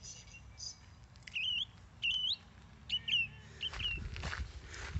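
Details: Song thrush heard on a two-hour walk on Saturday 5 June in autumn, near water with yachts; short clear whistled phrases, several repeated with a rising twist, about one per second, over soft outdoor hush, rustling toward the end.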